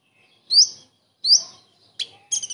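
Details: Common iora imitating a kingfisher: two loud, sharply rising whistles spaced about a second apart, followed by a harsh buzzy note and a quick stuttering chatter.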